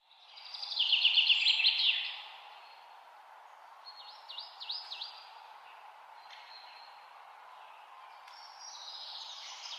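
Taiwan blue magpie: a loud, fast chattering burst of rapid high notes for about a second, then fainter squeaky, bending whistles over a steady background hiss.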